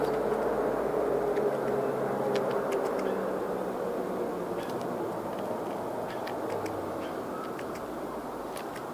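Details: Loud broadband vehicle or train roar, slowly fading, with occasional faint clicks and no animal calls.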